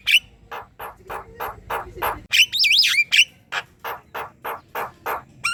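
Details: Javan myna in full chatter, recorded as a master sound to coax other birds: steady harsh squawking notes about three per second with a short burst of high twisting whistles in the middle.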